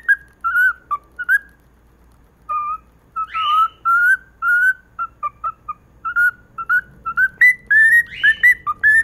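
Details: Pet cockatiel singing a morning song to its owner: a lively string of clear, warbling whistled notes around one pitch, with short pauses between phrases.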